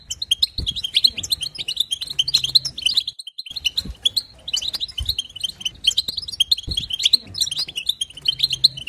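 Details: European goldfinch, 2022, song for exciting other goldfinches: continuous, busy, high twittering with buzzy trills and tinkles, one brief pause near the middle, and a faint low hum behind.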